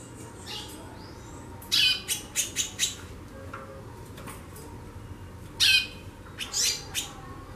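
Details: Female white-bellied seedeater, known locally as chorão, calling a lot in the chattering style called xaxando: harsh, buzzy bursts of quick notes in two clusters about four seconds apart, with steady low background hum.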